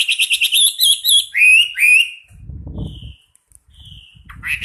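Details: Champion Chinese hwamei singing a fast series of repeated clear whistles that slide into loud slurred notes, then pausing briefly before soft whistles resume, with faint low knocking sounds in the gap.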